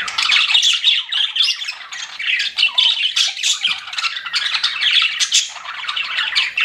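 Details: Several pet budgerigars chirping indoors, a dense, continuous chatter of rapid buzzy squawks and warbled chirps with no pauses, overlapping voices rising and falling throughout.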